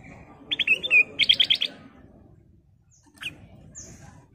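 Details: Sooty-headed bulbul (golden kutilang) in energetic song: a rapid run of clear, bubbly chirped notes in two short bursts, then a pause and a single high chirp with a faint thin whistle, low hum underneath.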